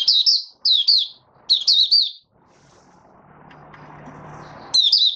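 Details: White-eye, a male, singing its opening 'buka' song: quick clusters of high, bright, warbling chirps, then a pause with faint low hum before another burst of twitter.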